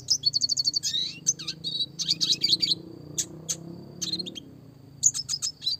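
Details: A red siskin gives clear classic song for training other small birds, roll tembak style: a quick run of even high chips, slurred twitters and scattered sharp notes over a faint low hum.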